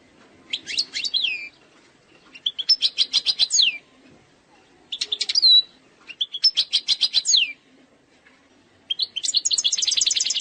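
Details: Algerian goldfinch performing its error-free eastern 'sector sharqi' song: five phrases of quick, evenly pulsed trills and twitters, several ending in a falling slurred whistle, with short silent gaps between them.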